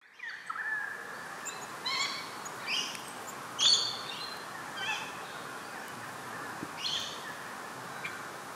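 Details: Red-browed finch (Neochmia temporalis) at Carnarvon Gorge, Queensland, Australia, on 20 July 2019 at 18:00 gives short, high, thin notes roughly once a second over a steady low hiss.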